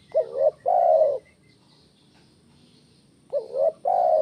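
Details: Spotted dove in 'kuk 1' style, for getting birds to sing: a bouncing double coo then a long even coo, repeated after a three-second silence, low and mellow.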